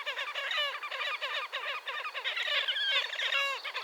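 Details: Wild Slavonian grebe calling at Gavieze, Latvia, in May 2024: an unbroken run of quick, nasal, harmonic trilled notes with a steady pulsing rhythm.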